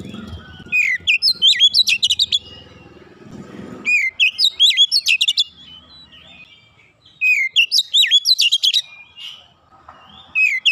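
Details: Kacer (Oriental magpie-robin) training song for raw birds, 'nembak rapat' style. Three loud phrases of dense, sharp whistled notes arrive about every three seconds. A low murmur is heard near the start.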